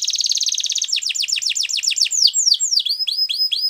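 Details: Belgian canary opening with a fast, steady high rattle, then a string of clear downward-slurred whistles that gradually lengthen and slow.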